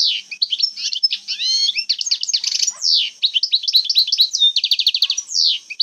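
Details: Algerian European goldfinch in old-time 'jbadat khalawiya' style, pouring out quick tinkling twitters, slurred whistles and a rapid repeated trill run, continuous and bright throughout.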